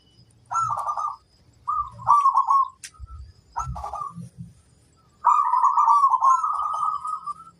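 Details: Zebra dove hen calling in the wild, teasing flirtatiously: three short burry trilled phrases about a second apart with soft low thumps between, then a long sustained rolling coo.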